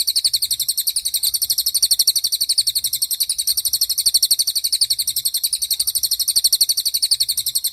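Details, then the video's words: Lesser forktail song for training songbirds, including birds in moult: one unbroken series of rapid, evenly spaced, thin high-pitched notes, about four per second, continuing throughout with a steady rhythm. "MASTERAN CILILIN || TAJAM DURASI PANJANG"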